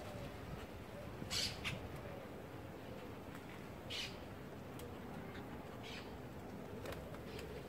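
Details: Hungry monk parakeets squabble over buds in the crown of an apricot tree in Alta Gracia, Córdoba, Argentina, on 31 July 2021 in winter. They let out four or five harsh, scratchy squawks, a few seconds apart, over a steady low background rumble.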